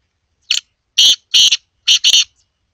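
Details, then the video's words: Harsh, buzzy five-note call of a black francolin (kala teetar): a clipped introductory note, two long grating notes, then a quick final pair, loud with no background sound. "teetar voice | kala teetar ki awaz | teetar ki awaz"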